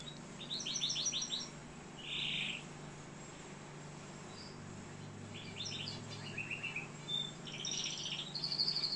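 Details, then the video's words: Canary in Algeria giving short bursts of chirpy trills separated by pauses, including a buzzy rolled note and fast twittering phrases, against a steady low hum. "كناري صوة جميل"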